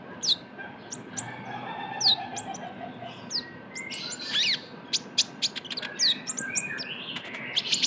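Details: Juvenile Van Hasselt's sunbird (kolibri ninja) calling as a lure: scattered high, downslurred chips and squeaks, a short trilled flourish at mid-clip, then quickening sharp ticks.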